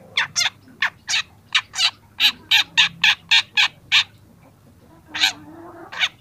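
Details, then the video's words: Young long-tailed shrike singing for a training recording: harsh, scratchy notes repeated about three to four times a second, then a short pause and two more rasping notes. A faint low tone runs underneath. "masteran cendet muda"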